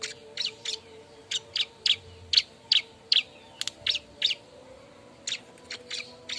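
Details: Mate-seeking bar-winged prinia, lure recording: quick sharp high chirps in two bursts separated by a brief silence, over a faint steady background hum.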